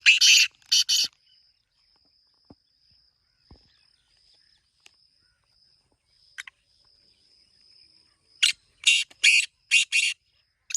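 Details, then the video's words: Black francolin calling: harsh, grating bursts in a group of three at the start, then a second phrase of five rasping notes near the end, over a thin steady high insect-like hum. "کالے تیتر کی مست آوازیں 🔊 | یہ آواز سن کر تیتر ضرور بولے گا | Original Black Teetar Sound"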